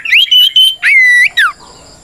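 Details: Oriental magpie-robin fighting song in 'ngeplong' style, meant to provoke rivals: three strong notes, a rising-then-level whistle, a long flat tone and a sharp falling slur.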